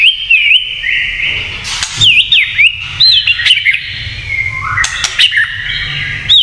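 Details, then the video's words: Provoking 'kretekan' song of a white-rumped shama: looping whistled notes, a steady high whistle, sharp clicks and quick twisting slurs repeated in bursts. "SUARA KRETEKAN MURAI INI TERLALU BAHAYA BIKIN MURAI LAIN IKUT EMOSI"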